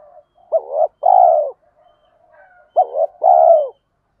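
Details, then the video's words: Spotted dove pair calling to rouse birds being trained: two matching phrases roughly two seconds apart, each a brisk double note and a long smooth coo fading downward, soft murmurs between. "Chim cu đất thúc gù"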